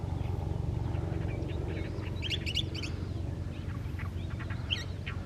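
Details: Chilean Mockingbird song from the Panul forest above Santiago, Chile, recorded in winter in July: scattered varied notes, then a dense burst of sharp high chirps midway and a final bright note, with constant low hum underneath.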